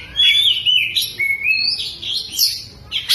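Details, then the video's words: Oriental magpie-robin singing hard with its tail spread, a song loaded with lovebird mimicry: a continuous string of high whistled slurs, buzzy chatter and bright upward sweeps with no pauses. "BURUNG KACER BUKA EKOR SAMBIL NEMBAK" | ISIAN LOVEBIRD"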